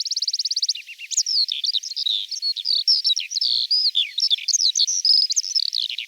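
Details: Eurasian skylark from Russia singing a rapid, continuous high warble: a buzzy trilled opening followed by tumbling whistled slurs and chirps, rising and falling without pause, with no other sounds.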